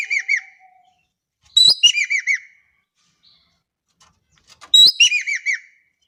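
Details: Indonesian Javan kingfisher calling hard, giving two loud phrases about three seconds apart, each a harsh grating start followed by four evenly spaced, down-slurred piping notes.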